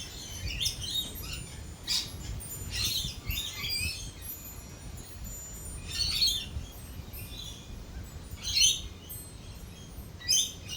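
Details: Lorikeets heard through a thunderstorm with lightning, giving clustered shrill squawks in bursts a few seconds apart over a low, constant rumbling background.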